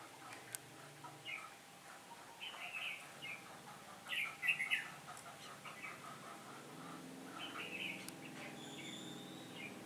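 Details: Red-whiskered bulbul used as a decoy to lure wild birds into a trap, recorded on a day of changing wind, 15 October 2017; short warbled, chirpy phrases come in scattered bursts over a hissy, noisy background.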